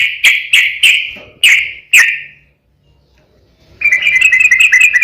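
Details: Fighting song of a sooty-headed bulbul, a lure to provoke other bulbuls into singing: five loud separate sharp notes, a silent pause, then a rapid run of high chattering notes.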